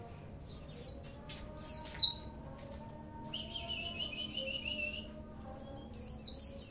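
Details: Oriental white-eye in full, vigorous song, its phrases filled with imitations of cililin, bren and cigun: high, thin chirps sweeping downward in quick bursts, a steadier buzzy trill in the middle, then sharp bright notes again. Low background hum.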